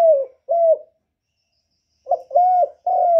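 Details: Spotted dove lure bird calling to excite wild doves: low, hollow coos, each slightly falling note held about a third of a second, given in two short groups with a pause between, clean and close.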